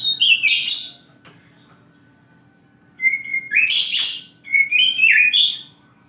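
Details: Oriental magpie-robin singing in the morning: a harsh whistled burst, a silence, then a level whistle rising into scratchy chatter and a looping phrase of sliding whistles.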